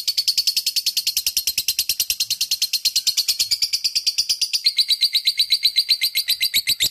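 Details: Long, unbroken ngekek song of a lovebird: a steady, rapid rattle of high, sharp notes, about seven per second, running without pause for the whole stretch and shifting slightly higher near the end.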